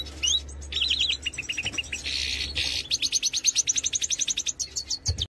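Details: Singing major goldfinch: clipped whistled notes lead into a harsh buzzy passage, followed by a rapid, steady series of bright chirps near the end.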